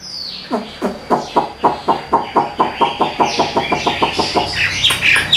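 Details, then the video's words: Hwamei kept in a cage in Vietnam delivering a fast, chattering series of about fifteen harsh, evenly spaced clucking notes, ending in higher squeaky whistles. "Giọng Hay Siêng Mỏ"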